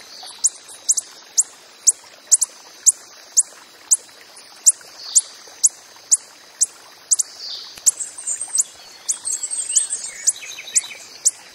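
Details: Coppery-headed emerald hummingbird calling in the wild: sharp, very high chips repeated about twice a second, with a faint watery hiss behind.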